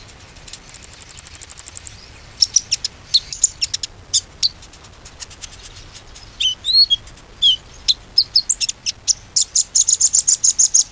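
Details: Konin used as a lure to make a silent bird sing again: a fast steady trill of very high notes, then mixed chirps, a few curling whistles, and a closing run of rapid high notes.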